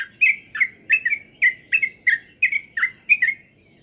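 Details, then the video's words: Kept sooty-headed bulbul, locally trucukan, during pengembunan dew care: about ten bright, throaty two-note chirps in quick succession, each dipping downward, ending abruptly, with a faint low murmur behind. "pengembunan Trucuk'an Agar Rajin Bunyi"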